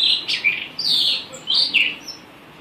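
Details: Blue rock thrush (Monticola solitarius), or murai batu arung, giving clear, melodious whistled phrases, some falling and some with a slightly rough edge, separated by short pauses. A faint hiss sits behind them.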